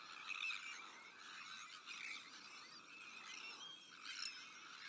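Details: A dense, unbroken chorus of harsh, grating calls from many Sandwich terns in a breeding colony shared with black-headed gulls, Arctic and common terns, overlapping into a rasping din with a few clearer, higher notes above it.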